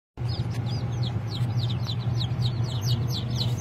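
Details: Japanese bantam chickens giving rapid, high, thin chirping peeps, several per second, each note sliding downward, over a steady low mechanical hum.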